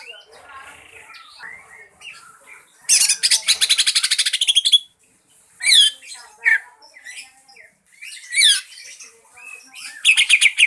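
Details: Green leafbird singing a lure song meant to draw other birds into singing: varied warbled phrases with a loud, fast, rattling trill, sharp rising whistles and chattering bursts separated by brief pauses, closing with another quick pulsed trill.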